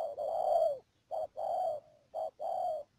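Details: Spotted dove used as a decoy bird for trapping at Mương Điều, Đầm Dơi, Cà Mau, Vietnam, recorded 12 March 2019; mellow low coos in a phrase of short and drawn-out notes, one long coo followed by short-long pairs.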